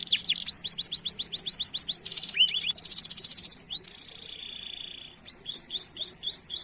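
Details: Canary song used as a tutoring lure for other canaries, with a long roll: rapid repeated whistled slurs, dense buzzy trills, a sustained steady tone, then a closing series of short rising chips.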